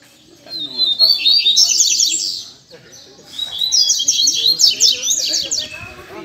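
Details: Double-collared seedeaters (coleiros), strong black males perched on stakes near a small tree at a Sunday song-training session, give two bursts of high, fast twittering song with rapid rattled notes and trills, a man's voice faint underneath.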